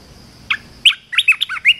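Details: Red-whiskered bulbul training song for young birds: a loud, crisp run of bright, clipped warbled notes over a low background hum.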